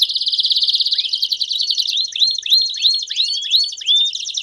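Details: Several Belgian canaries singing together to stimulate singing: a rapid buzzy trill at the start, then a series of rising whistled swoops repeated about every third of a second over continuous high chatter.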